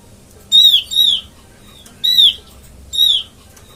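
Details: Lure call of the Oriental white-eye, played to attract birds for trapping: four clear, high, falling notes, the first two close together, then two spaced singles, with a steady low background hum.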